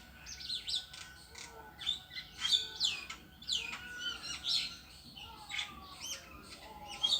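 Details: A solitary bird on a tree chirps busily: bright, high downslurred notes and twittering phrases repeat about twice a second, with steady faint background noise.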